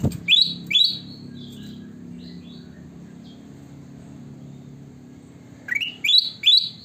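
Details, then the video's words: Sooty-headed bulbul singing: a few short rising chirps near the start, a quiet gap, then a quick burst of three more rising notes at the end, over a low steady hum. "burung kutilang emas gacor"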